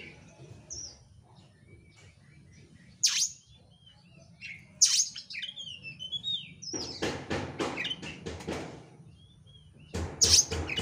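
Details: Oriental magpie-robin in full, dense, fast lure song meant to provoke other birds into singing: sharp high whistled notes spaced a couple of seconds apart, short twittering phrases, then a run of rapid harsh rattling pulses before another piercing note.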